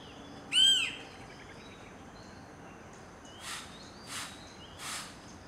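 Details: Adult male Banded woodpecker (Banded yellownape, Chrysophlegma miniaceum malaccensis), a resident in an urban neighbourhood garden in Ipoh, Perak, Malaysia, 13 November 2011, calls: one loud, plaintive, arched high note, then three fainter, rough, hissy bursts about two-thirds of a second apart.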